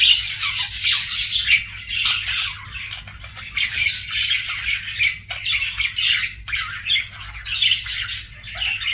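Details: Budgies chatter in pulses of raspy, high chirps and squawky warbling, each burst lasting a second or two before dipping, then starting again.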